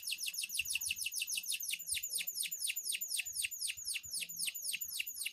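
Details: Loper canary singing hard at night: a continuous series of sharp, high, down-slurred chips, rapidly and evenly repeated, with faint low background noises.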